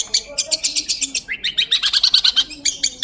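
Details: Long-tailed shrike (pentet) in energetic 'gacor' song: rapid, evenly spaced chattering notes, about six a second, shifting into rising, sweeping chirps and a bright, fast-repeated phrase near the end.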